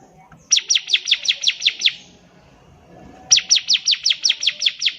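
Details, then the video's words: Bar-winged prinia singing for teaching young birds to learn its song: two bursts of around eight bright, downward-sweeping high chips each, delivered quickly and evenly, with a quiet pause between. "CIBLEK GACOR || SANGAT COCOK UNTUK MASTERAN CIBLEK PAUD BELAJAR BUNYI"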